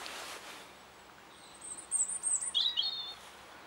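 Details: European robin singing in spring, March 2014: one thin, high phrase of clear whistled notes that slides down into quick trilled twiddles, over a soft outdoor hiss.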